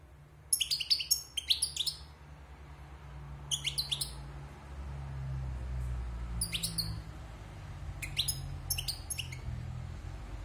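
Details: European goldfinch, a wild bird caged after its moult, singing brief clusters of crisp, high clicking twitters repeated every couple of seconds against a steady low rumbling background.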